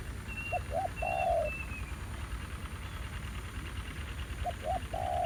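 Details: Spotted dove calling at a decoy trapping site, a fairly aggressive new wild bird present: two phrases about three and a half seconds apart. Each has two clipped hoots and then a long coo. Short high whistles from another bird come early.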